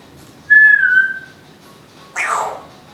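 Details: Captive female Timneh African grey parrot at home, known for talking, singing and vacuum imitations, gives a smooth level whistle, then a short harsh, falling, noisy burst.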